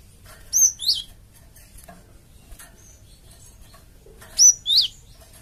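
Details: Java sparrow calling as a lure for answering flock birds: two spaced pairs of high chirps, a clear whistle then a harsher drooping note, separated by roughly four seconds of quiet.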